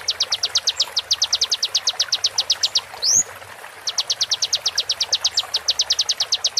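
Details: Konin singing for a songbird-training master track, slowed, with water therapy: dense trains of quick, sharp, very high notes, one upward-gliding whistle midway, then the rapid notes resume.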